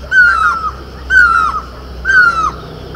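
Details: Great or Himalayan barbet, called mewli in Garhwal, perched on horse chestnut blossom in Uttarakhand, gives three loud, drawn-out mewing calls, each sliding down, evenly spaced about a second apart.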